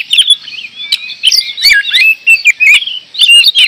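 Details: Oriental magpie-robin pouring out gacor song: varied whistled notes and warbles delivered rapidly and almost without pause, punctuated by a few hard clicks.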